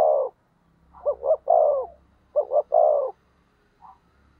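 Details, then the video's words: Decoy spotted dove used to draw in and provoke rival birds: two full coo phrases, short-short-long, soft and throaty, with a faint low hum underneath. "Cu Gáy Mồi Thúc/ Kích Bổi"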